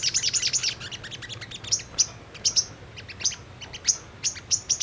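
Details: Lure recording of a brown-throated sunbird, meant to make birds answer and sing: a quick rattle of thin, very high chips, then spaced single sharp tsip notes, each ringing briefly.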